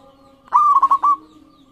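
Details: A slightly longer phrase from a local zebra dove, sung as a lure to make other doves answer: a cooing note followed by four rolling beats, with a low steady hum in the background.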